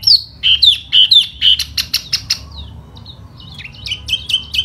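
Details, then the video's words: Laughingthrush singing in spring while fanning out in display, giving bright whistled notes that slur downward, repeated about twice a second, then a pause and a second run of sharp, higher whistles. "chú tiểu mi hót xoè rất hay"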